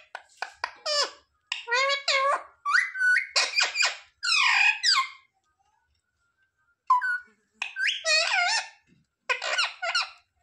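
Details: Talking pet parrot mimicking human words such as "mummy papa", recorded in a small room. Choppy, squeaky, high-pitched imitated syllables come in rapid clusters, then a pause of about two seconds before more chatter.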